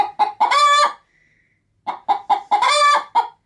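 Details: Pet hen getting ready to lay an egg inside a chicken-feed bag, cackling as a person approaches: short sharp clucks leading into a long harsh drawn-out note, a pause, then the same pattern again.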